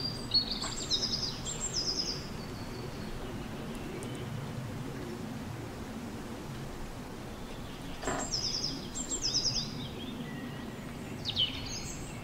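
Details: A male zebra finch sings short bursts of nasal, buzzy notes over a low steady hum while playing on top of his nest with straw and string on a sunny day.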